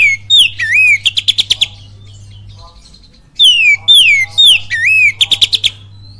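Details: Oriental magpie-robin singing in kapas tembak cililin style: bursts of loud downslurred whistles and a twisting note, then a fast staccato run of about seven notes, repeated after a pause, over a steady low hum.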